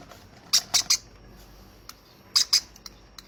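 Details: Baby conure, hand-fed, uttering a burst of three raspy squawks, faint clicks, then a pair of harsher notes.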